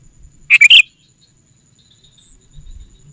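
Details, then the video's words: Single rapid phrase of three bright, bubbly chirps from a sooty-headed bulbul lure call meant to attract wild rivals, followed by near silence with faint low rumble. "Suara Burung Kutilang Pikat GACOR SUKSES Memanggil Lawan! Kutilang Liar Auto Kumpul"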